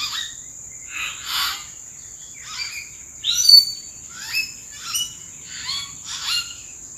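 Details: Common hill mynas calling from treetops in April, wild birds keeping away from people; loud, varied whistles and harsh downslurred notes come in bursts roughly every half second to second, over a steady high insect-like whine.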